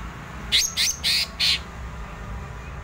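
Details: Cucak ijo, the greater green leafbird, giving four loud, clipped whistled notes in rapid succession within about a second, part of an energetic ngerol rolling song, against a low background hum.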